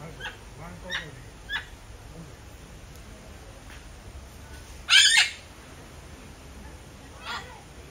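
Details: Red-fronted macaw, a Bolivian parrot, with a few soft scattered notes followed by one loud, harsh, raspy squawk and a fainter later call, over quiet background hiss.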